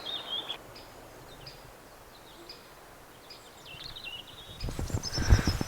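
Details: A great spotted woodpecker in a garden on a rainy day lands in a tree and gives its sharp, high, clipped flight call. The notes are scattered over a low outdoor rumble, with a burst of rustling near the end.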